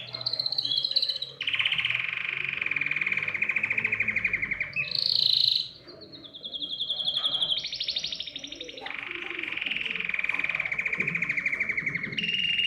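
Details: Canary singing to stimulate other birds to sing: long, powerful rolling trills near the upper-middle range, each held for a second or more, switching between higher and lower tours, with a brief sharp whistled note midway.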